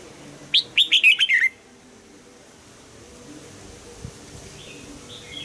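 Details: Red-whiskered bulbul in morning singing practice for the 'âm kép già rừng' double-note style; a single fast phrase of a sharp rising note and a rolling string of warbles, then quiet with faint distant whistles.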